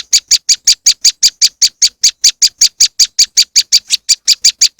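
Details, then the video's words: Moss wren song used to lure birds: an unbroken string of loud, piercing chips at an even pace of almost three per second, with no other sounds present. "powerful moss wren bird lure sound"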